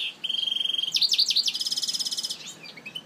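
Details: European goldfinch singing in Algiers on a hot day: a fast, tinkling buzzy trill, then quick swooping notes and another bright rapid trill, all high-pitched and clear.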